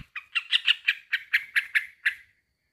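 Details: Male sooty-headed bulbul calling a rival, giving about nine harsh, bubbly chattering notes in quick succession over two seconds, then falling silent.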